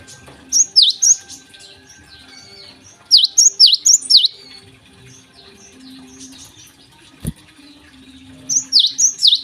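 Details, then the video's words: Morning song of a lively Java sparrow, given in three short bursts of ringing, dipping chip notes, each burst three to five notes long, separated by quiet pauses with a single sharp click. "gelatik gacor di pagi hari"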